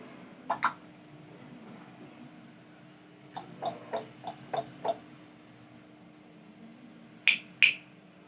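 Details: Talking grey parrot, which says Urdu phrases and mimics coughing, gives short clipped syllables and clicks in quick bursts: a pair, then five, then two sharp ones, in a quiet room with a faint hum.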